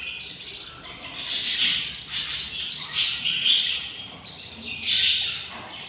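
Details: A brood of six budgerigar chicks, hungry at twenty days old, utters repeated hoarse, hissing begging bursts roughly once a second, separated by brief quiet gaps.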